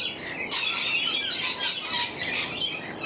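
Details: Lorikeets in a noisy flock in the morning: a continuous wash of harsh, high screeches and shrill chattering from many birds at once, with no pause.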